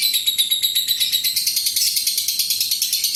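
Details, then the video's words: Long 'ngekek' trill of a lovebird, played to lure other lovebirds: a dense, shrill, buzzy chatter of evenly pulsed high notes, unbroken from start to end. "SUARA BURUNG LOVEBIRD INI AMPUH UNTUK PANCINGAN LB LAIN NGEKEK PANJANG"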